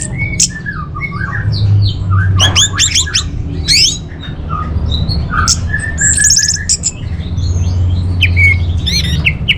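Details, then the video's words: Rich, busy orange-headed thrush song serving as a lure and training model for caged birds: dense mix of fast trills, rising sweeps, buzzy phrases and whistles, with low humming underneath. "Bikin Geger ANIS MERAH Dirumah Pasti Gacor || Pancingan sekaligus Masteran Burung Punglor"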